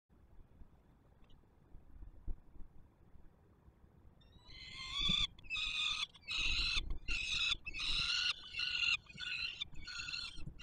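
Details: Peregrine falcon chicks at a nest on the Palace of Culture and Science, Warsaw, Poland, 7 July 2022, begging as an adult feeds them: after four quiet seconds, loud harsh wailing cries start, repeated in rapid bursts with short gaps.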